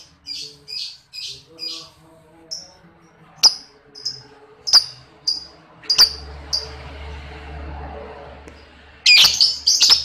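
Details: Lovebird chirping as a lure to train other lovebirds: evenly spaced high chirps, a low rumbling hum in the middle stretch, and a harsh rapid chatter near the end.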